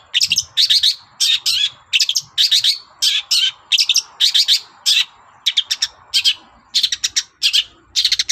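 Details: Long-tailed shrike chattering insistently in the morning to provoke other birds into answering. Dense, harsh, buzzy double and triple bursts repeat in an uneven rhythm, roughly every half second.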